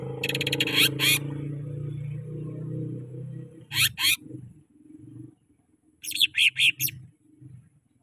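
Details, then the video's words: Greater green leafbird song as a lure for caged birds: harsh, buzzy double bursts separated by pauses, then a quick series of four rasping notes, over a steady low hum. "Cucak Ijo Merdu suara Gacor Ampuh Buat Pancingan"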